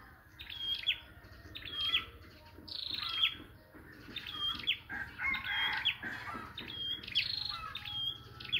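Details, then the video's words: A scarlet-backed flowerpecker used as a decoy bird for trapping gives thin, sharp, high ticking notes in quick clusters about once a second, with a faint low hum behind. "chim sâu đầu đỏ mồi"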